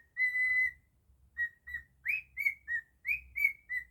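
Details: Domestic cockatiel singing its rendition of Jingle Bells: a long steady whistle, then short notes and several sharply rising, swooping whistles in quick succession.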